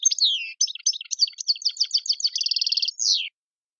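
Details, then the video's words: European goldfinch song in the tiwawati style, with mondolin, servati, saw saw, sepla sepla and djiw phrases, from Algeria: rapid twittering, tinkling notes, then a fast buzzy trill and a downslurred ending. "chant chardonneret tiwawati mondolin servati saw saw sepla sepla djiw"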